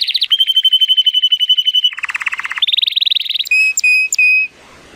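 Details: Sunny-day song of a male Timbrado Español canary scored at 83 points, born 2018: a steady metallic tour, a lower rolling trill, a higher buzzy trill, then three clear whistled notes before fading out.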